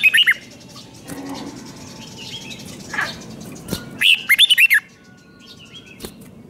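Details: Thai red-whiskered bulbul song in the five-syllable style, meant for young birds to learn. A brief opening burst and a soft lone note come first, then a full rolling phrase of five looping whistles. A few sharp clicks are also heard.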